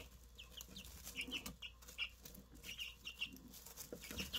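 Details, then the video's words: Newly hatched Easter Egger chicks peeping: short high chirps, scattered and irregular, some in quick pairs, with soft rustling and thumps underneath. "Brand new Easter Egger Chicks."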